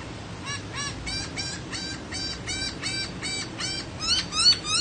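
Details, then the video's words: Laughingthrush singing a fast series of short, even, repeated notes, about three per second, rising slightly in loudness toward the end over a quiet background hiss. "HÓT NHƯ KHƯỚU"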